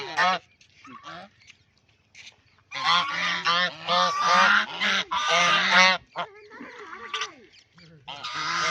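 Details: Duck having fun in a pond: a few scattered nasal notes, then a dense run of loud, rasping quacks that overlap and run together, and a softer stretch of calls at the end.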